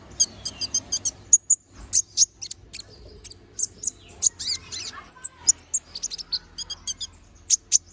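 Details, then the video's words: Little spiderhunter singing energetically in a sharp fill-in song for bird tutoring. Dense bursts of very high, sharp chirps and clicks run in quick, uneven sequences throughout. "Kolibri Ninja || Masteran Suara Burung Konin Gacor Bongkar Isian Suara Tajam"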